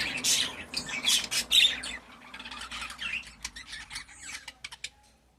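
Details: Pet budgerigar giving harsh, grating squawks at first, then quick clicky chirps that thin out and fade toward the end.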